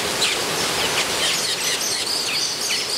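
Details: Metallic starlings in a nesting frenzy in the Scripps Aviary at San Diego Zoo, captive. Dense high chirps and short sweeping notes overlap constantly against a steady rushing background hiss.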